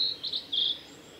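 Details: Male blue-and-white flycatcher singing on a forest road at Lake Miyagase, Japan, on 15 April 2018: a brief burst of three or four clear, high whistled notes, slightly slurred, over faint background hiss.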